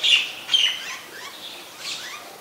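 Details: White-vented myna (Acridotheres grandis), Great myna, in Ubon Ratchathani, Thailand, on 26 December 2020, giving two short, harsh high notes about half a second apart, then softer whistled slurs.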